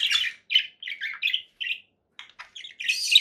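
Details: Conure parakeet giving short, raspy chirping notes in quick bursts, with a brief pause before a louder harsh squawk at the end.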